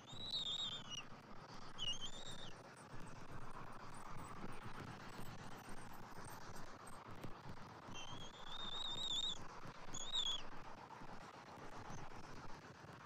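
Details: Bald eagles at the nest, 27 January 2024, as the father brings fish and red meat and feeds an eaglet; two clusters of thin, high wavering whistles, early and late, separated by a stretch of rumbling background noise.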